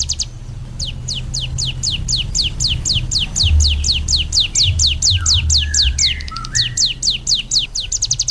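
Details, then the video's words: Ciblek gunung, offered as a vocal tutor, sings a loose series of separated high falling notes that quicken into a trill near the end. Lower whistled notes from another bird sound briefly in the middle, over a low rumble. "SUARA BURUNG CIBLEK GUNUNG"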